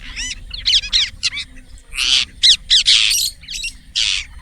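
Indian ringneck parakeet giving a rapid run of harsh, high squawks and chirps, several per second, some with wavering buzzy tones; faint low background rumble.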